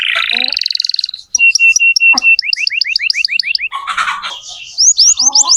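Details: Canary song used to tutor young canaries: a rolling trill, evenly repeated whistled notes, then a run of quick rising sweeps, with a brief mixed, noisy passage and soft lower chirps.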